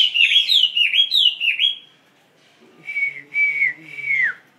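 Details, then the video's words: Caged Chinese hwamei singing loud, rich whistled phrases of slurred, rising and falling notes for almost two seconds, then a pause and three long, clear whistles sliding down at the end, with a faint low hum beneath. "HOA MI MOI XONG LONG 2"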